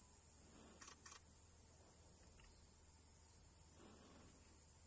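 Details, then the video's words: On Ishigaki Island in mid-April, a wild Eurasian hoopoe sings its breeding song. Muffled low hoots come early and again near the end, under a constant shrill cicada buzz, with a few camera clicks in between. "ヤツガシラ さえずり HOOPOE SINGING"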